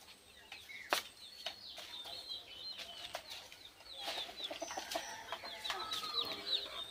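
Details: Desi chickens kept on a small local farm: many thin, high, down-slurred peeps from several birds overlapping in a fast, uneven chatter, with a few sharp clicks and knocks.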